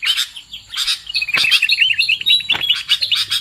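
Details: Sooty-headed bulbul calls meant to lure birds into traps: rapid, jumbled chirps and twitters overlap in a lively stream, punctuated by a few louder scratchy bursts.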